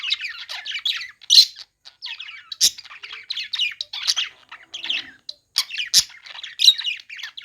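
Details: Budgerigars chirping while playing: a busy stream of high, scratchy warbles and short squawks, with sharp clicks and chattering notes tumbling one after another, brief pauses between bursts.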